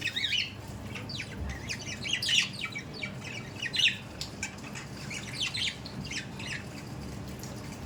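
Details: Budgerigars squawk and chatter with harsh, scratchy high notes in irregular bursts, a few louder squawks standing out.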